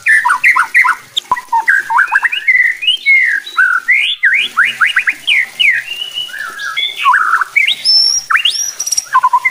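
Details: White-rumped shama singing to provoke other shamas into aggressive, fuller song: a long varied run of rapid whistled slurs and sweeps, dense and rhythmic, with phrases climbing to high thin notes near the end.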